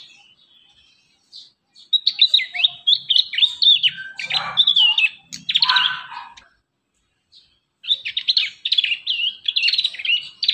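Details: Young prinia song used as a training lure for young caged prinias: bursts of high, rapid chirps and squeaky whistled notes around upper pitch, with a harsher lower phrase midway and a short pause before the chattering resumes.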